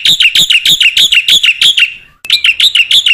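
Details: Energetic black-winged myna song, used to train other mynas to sing: rapid loud whistled notes, each falling in pitch, repeated about four per second, a brief break, then the same series resumes.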